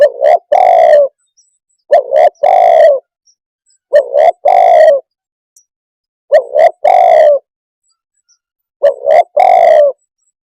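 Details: Spotted dove cooing steadily. The three-part phrase, two quick short coos then a drawn-out one, repeats five times, about every two seconds, with silence between phrases.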